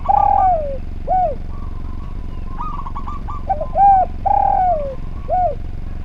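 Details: Spotted dove song made to train other birds: a long falling coo and short coo, then a rapid stuttering string of notes, followed by another coo phrase of long descending and short notes, with low background hum.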